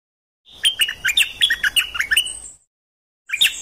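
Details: Bird song meant to teach young birds and stir them up. A two-second run of quick high chirps and short slurred whistles, then silence and the start of another phrase.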